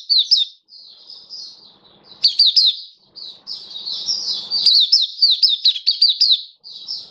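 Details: High continuous warbling from a caged Oriental white-eye, mixing thin sustained twitters with sharp descending chips strung together in quick succession, briefly pausing between phrases.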